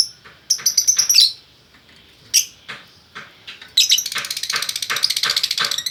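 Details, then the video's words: Lovebird pair, male and female, in Bukittinggi, West Sumatra, Indonesia: a quick volley of shrill notes, scattered sharp chirps, then a long rapid high chatter of repeated squeaky notes. "Burung Lovebird Jantan Betina Bukittinggi Gacor"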